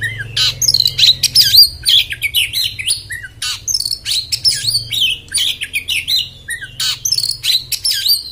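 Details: Oriental magpie-robin (kacer) sings a fast, harsh "beset" burst of scratchy rasps mixed with high whistles, several notes a second, over a low steady hum.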